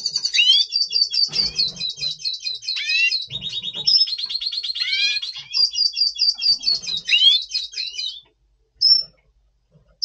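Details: Caged double pastel red siskin singing in breeding mood before the breeding season, November 2023: rapid high twittering with buzzy trilled passages and upslurred whistles, continuing for about eight seconds, then two short high notes after a pause.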